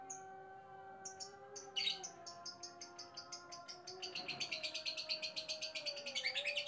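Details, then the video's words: A lovebird meeting a new male, kept in a separate cage and eager to approach, gives scattered sharp chirps, then a long run of rapid rhythmic pulses building into a loud, harsh rolling trill over a low hum. "Love Bird Lover: Ngekek Panjang Ketemu Pejantan Baru.."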